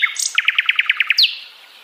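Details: Sikatan londo flycatcher song: a brief high note, then a rapid even series of about nine sharp chirps in under a second, closing with a bright downward-sliding whistle before fading out.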